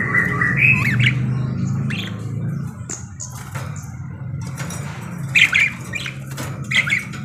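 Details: Active parakeet song of squeaky chirps and short warbles arriving in clusters, with brief wing flutters and a steady low background hum.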